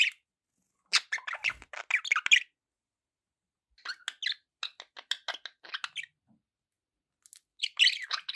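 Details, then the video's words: Pet budgerigars chattering, recorded with background noise: three bursts of rapid, scratchy warbled chirps and clicks, separated by pauses of a second or more. "budgie sounds"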